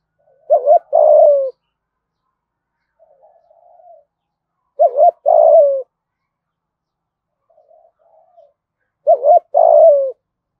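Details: Spotted dove giving the Vietnamese 'gáy thúc gù' coo style, used as a decoy call. Each phrase is two short clipped notes followed by a longer falling coo, repeated about every four seconds. Fainter soft coos sit between phrases, in quiet surroundings.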